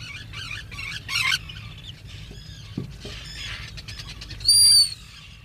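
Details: Black guillemot, a seabird that comes ashore once a year to breed, calling at its nest burrow: scratchy bursts and thin high whistles, ending in one loud, clear, high whistle held for about half a second.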